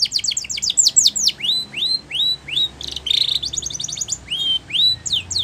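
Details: A Spanish Timbrado canary sings a training song: quick falling chips, then slower rising-and-falling slurred whistles, a brief buzzy roll, a rapid trill and more looping whistled notes.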